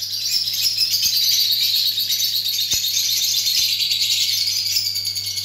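A flock of lutino birds keeps up a dense, continuous high chatter of overlapping chirps and tweets, over a low steady electrical hum.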